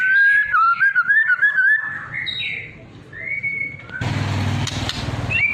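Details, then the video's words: White-rumped shama, trotol and pastol types, used as a lure to make other birds respond and sing; clear whistled phrases wavering around mid pitch, then a held whistle, followed by a burst of broad noise with a low hum. "MURAI TROTOL DAN PASTOL"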